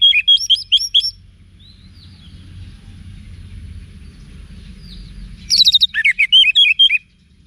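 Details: Orange-headed thrush song used as a training track for cage birds. A short series of rapid whistled slurs opens the recording. A long quiet gap with a low rumble follows, then a dense burst of varied, buzzy and whistled notes.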